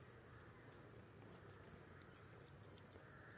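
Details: Wintering Wallcreeper in Czechia, a rare cliff and quarry bird seen from November to March: a drawn-out high, thin note, then a fast, steady run of a dozen sharp, very high chips that stops abruptly.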